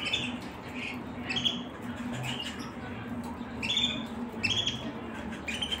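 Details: Canary song of short sweet chirps and brief twittered phrases, recurring every second or so above a steady low electrical hum.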